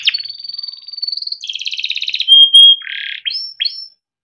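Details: Caged male yellow canary from Indonesia singing a rolling tutor song: a drawn-out high whistle, a rapid trill, a loud pure note, a low buzzy burst, then two short rising chirps.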